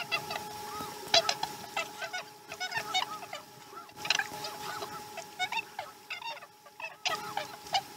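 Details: Morning feeding at a Chesapeake osprey nest, recorded 2019 12 12: dense runs of high, piercing chirps, some arched and some clipped, in repeated bursts about every second with brief pauses, beneath a constant mechanical hum.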